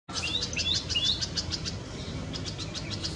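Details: Red-vented bulbul feeding its chicks at a nest in a Karaunda bush in a Delhi garden, India, in May during peak summer heat; thin high chirps and short rising notes follow quickly one after another over a steady background hiss.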